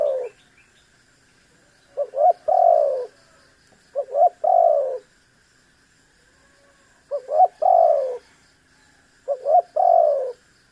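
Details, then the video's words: Spotted dove calling persistently to stir a rival into calling: phrases of two rapid stuttering notes run into a long falling buzzy coo, repeated four times about every two to three seconds, with a faint high hum in the background. "SUARA BURUNG TEKUKUR GACOR"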